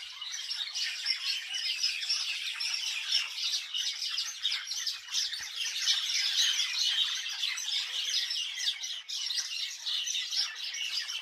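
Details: A flock of birds in a village keeps up constant high-pitched chirping, busy overlapping twitters swelling slightly in the middle.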